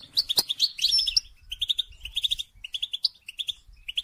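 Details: Goldfinch singing to encourage mating, a fast run of tinkling twitters followed by evenly spaced clusters of high chirps, three or four notes per cluster, steady and lively throughout.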